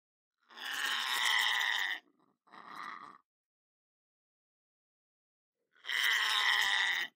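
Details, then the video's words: Harsh, buzzy screeches from a pet lorikeet in a home kitchen: two grating bursts close together, a long pause, then a third loud rasping call. "Parrot Sounds For Birds"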